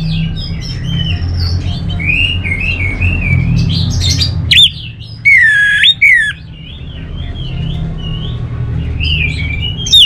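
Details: Orange-headed thrush song: a run of wavering, whistled phrases at mid pitch, broken by a few loud, sharp slurred notes in the middle, over a constant low hum.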